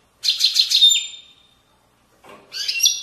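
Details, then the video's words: Goldfinch giving widani-style song of Moroccan valley banks: a quick rattling twitter ending in a drawn-out whistle, a pause, then a fresh burst of tinkling high notes. "تغريد ويداني أصيل من ضفاف الوديان المغربية goldfinch hason chant widaniya chardonner"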